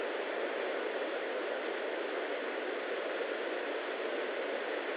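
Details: Steady hiss of broadband static fills the whole stretch, with no animal calls audible.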